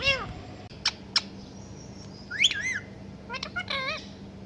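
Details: Pet parrot mimicking a cat's meow: a short descending call, two sharp clicks, then rising and falling meow-like whistled notes and a closing wavering phrase, quiet hum beneath.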